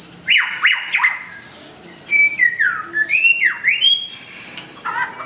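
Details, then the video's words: White-rumped shama, curved-tail type, singing to challenge a rival: loud rising and falling whistled slurs, a few sharp upswept notes, then a run of fluid warbled phrases after a brief quiet gap. "Murai batu ekor lengkung muntah materi panggil lawan"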